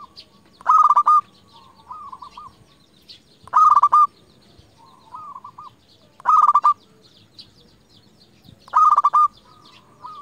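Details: Persistent local zebra dove used to call out rivals repeats its phrase four times, roughly every two and a half seconds: a loud buzzy stutter of fast pulses, then a short soft rolling coo.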